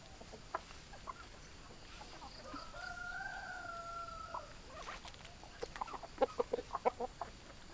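Chickens: a drawn-out, wavering crow-like call in the middle, followed by a quick run of short, sharp clucks at an uneven pace.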